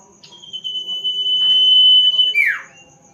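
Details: A sirtu whistling at night. It holds a single long, steady, high whistle for about two seconds, then ends with a short, harsh, downward-sweeping flourish. A faint constant hum sits behind it.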